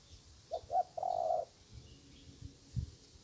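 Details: Spotted dove answering a decoy during bird trapping: two quick soft notes then one longer low mellow coo, followed by quiet background with faint low thumps.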